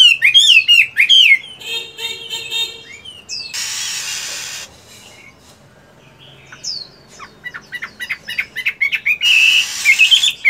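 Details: Chinese hwamei in a cage during moult, singing in morning practice; varied whistled phrases broken by a burst of hissing noise and a quiet gap, then rapid repeated notes resume.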